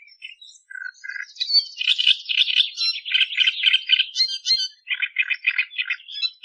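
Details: Australian reed warbler singing a rich, scratchy sequence: a few clipped notes, a long run of rapid grating chatter, then a steady series of repeated chugging double notes near the end.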